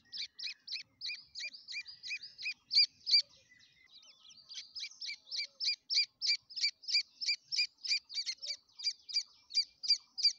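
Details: Grey francolin (Ortygornis pondicerianus), chick calls.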